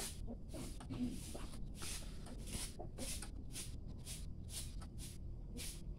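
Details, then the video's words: A young greater coucal, a baby bird responding to calling, gives breathy, hissing bursts, about nine in six seconds, over a steady low rumble of wind or handling noise. "greater coucal baby bird responding for calling"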